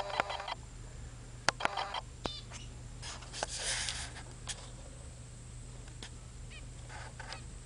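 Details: Young zebra finches, now grown, recorded around February 2009, give short, nasal, buzzy calls in scattered bursts over a steady low hum.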